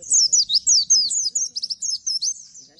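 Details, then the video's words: A leafbird sings a rapid, high chattering run of sharp falling slurs and quick trills in tight bursts, with a faint background murmur below. "Bustomi Bikin Emosi langsung respon ikutan Nembak!!!"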